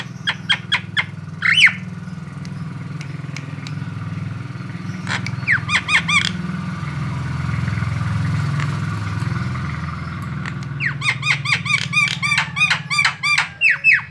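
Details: White-eyed Javan myna lure recording for attracting other birds: short groups of harsh down-slurred notes, then long fast chattering runs, over a steady low rumbling hum.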